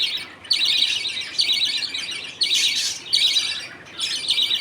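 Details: Budgerigar father feeding two chicks millet paste in a caged colony while the mother looks on. Grating, high chatter comes in four bursts, each about a second long, with short gaps.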